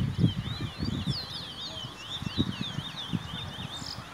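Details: A Chestnut-bellied seed finch at a bird show in Trinidad in 2018 sings a rapid, continuous stream of high, sweet twittering notes that slur up and down, over low murmuring and knocking from the crowd.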